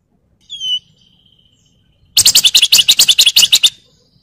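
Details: Sunda Bulbul (wergan jawa) from a training master recording: one clear sliding whistle, then a fast, harsh, buzzy chatter repeated many times in under two seconds.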